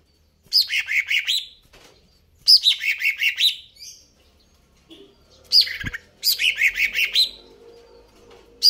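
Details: Greater green leafbird in vigorous song: repeated phrases of fast, bubbly notes sliding down from a sharp high start into a rolling lower chatter, separated by short pauses.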